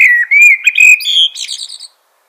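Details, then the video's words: Clear, melodious whistled phrase of a common blackbird, with smooth rising and falling notes, trailing off into a thin, high twittering finish. "Common Blackbird Call/Song/Sound - Chirping/Singing Birds"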